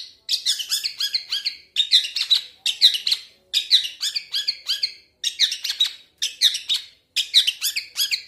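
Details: Long-tailed shrike from Indonesia, singing a loud, busy song of harsh chattering and squeaky notes in quick bursts, phrases about a second long separated by brief pauses.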